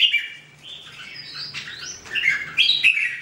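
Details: Red-whiskered bulbul singing: bright, chirpy whistled phrases with quick upslurs and downslurs, in bursts of clear notes separated by brief pauses.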